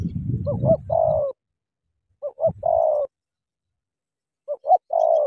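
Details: Spotted dove, Cà Mau, a "kèo thổ" bird that fights when meeting a wild "bổi". Three phrases of two short lilting notes and a long descending coo are spaced about two seconds apart, with rustling at the start.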